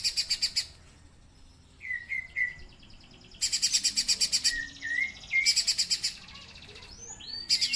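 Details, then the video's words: Streaky-breasted spiderhunter in full voice, giving loud rattling bursts of quick buzzy pulses that alternate with paired falling whistled notes and quiet pauses. "KICAUAN BURUNG PIJANTUNG GUNUNG GACOR"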